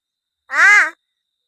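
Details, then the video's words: Talking crow kept as a pet in Palghar, answering its owner's offer of a biscuit with one short, nasal, arched caw, rich in harmonics, about half a second long and otherwise quiet. "बोलणारा कावळा"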